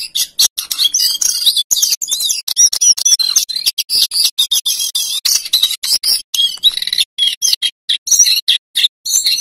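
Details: Male lesser shortwing pouring out rolling, fluting song used to tutor other songbirds: long, high, jumbled warbling with slurred whistles, trailing into clipped, separated chips toward the end.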